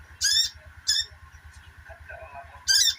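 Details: Rapid twittering of a sogok ontong, played as therapy for birds that have stopped singing; three loud shrill chirp bursts with pauses between, set against a continuous low droning hum.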